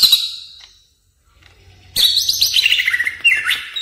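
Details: A greater green leafbird, played as a lure and song model for other birds, gives a short high burst, a second of quiet, then a rapid run of bright, sliding, chattering whistles without pause.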